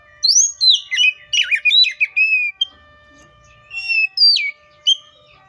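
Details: Oriental magpie-robin singing a string of quick slurred whistles and chips, then a pause and a few separate rich whistled notes.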